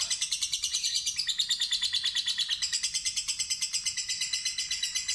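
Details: Lure recording of a fighter lovebird's ngekek: a continuous rapid, raspy, high-pitched chatter of evenly pulsing notes, with steady low room noise underneath.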